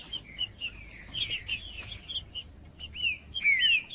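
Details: Singing male green-winged saltator, used to warm up another saltator: rapid chirps and slurred whistles, ending in several loud downward-curving whistled notes, over a continuous high thin tone.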